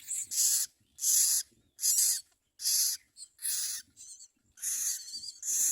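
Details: Common myna feeding its young; rapid run of harsh hissing bursts, nearly one a second, interspersed with short squeaky notes and soft low background rustling.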